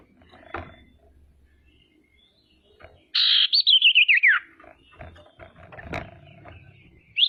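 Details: Female common iora (cipoh) calling to make rivals sing and grow agitated; a harsh buzzy call melts into a descending, rapidly wavering whistle, surrounded by low rumbles and knocks, with another buzz at the end.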